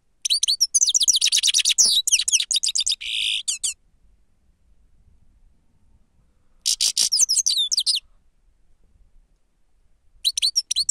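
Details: Lure recording of a grey-crowned goldfinch. Long bubbling phrases of high, liquid twitters and downward-sliding notes include a buzzy nasal section. There are three outbursts, the first lasting over three seconds. The background is otherwise quiet.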